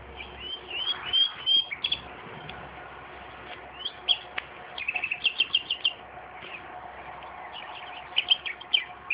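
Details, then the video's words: Common nightingale singing beside tomatoes in a garden. Bursts of high chirps and quick repeated notes come in short phrases separated by pauses, with faint background noise. "Славей пее край домати - Nightingale singing araund of tomatoes"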